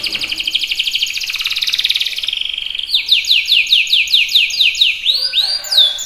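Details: Canary song: a fast rattling trill that slowly drops, then a run of about ten clear downward-sweeping whistled notes, ending in a few longer swooping whistles.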